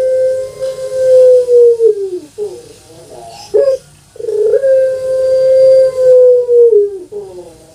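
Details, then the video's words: Captive puter pelung dove kept in Java, Indonesia, a breed prized for its long voice: two drawn-out steady coos of about two seconds each, each sliding down at the end, with short warbling notes between them in a small room. "PUTER PELUNG SUARA PANJANG"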